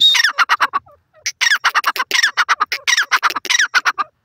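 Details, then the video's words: Grey francolin calling from an enclosure: rapid loud raspy notes in dense bursts, each burst led by a thin high whistle, with a short pause before the calling resumes. "dakhni teetar pinjray pr boli karta ha, irani teetar awaz"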